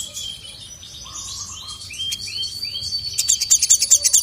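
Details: Sogon female calling a male, who answers angrily, kept birds. Soft flat tones and rising slurs give way to a fast, regular run of sharp high ticking chirps.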